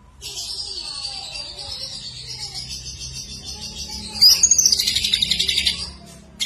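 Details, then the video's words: Greater green leafbird singing steadily with a filling of kapas tembak and lovebird phrases: a long high warbling strand, then a louder burst of rapid chattering notes repeated several times a second before fading. "Cucak Ijo Gacor Isian Kapas Tembak Sambung Love Bird"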